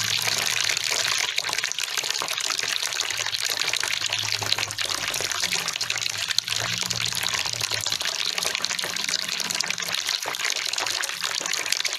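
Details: Steady rushing and splashing of flowing water fills the whole recording, with no clear animal calls standing out.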